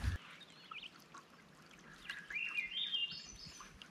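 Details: A Swainson's Thrush in wilderness along a canoe route, its song sounding echoey: a fluty phrase spiralling upward in pitch after a few softer whistled notes, against a steady outdoor hiss.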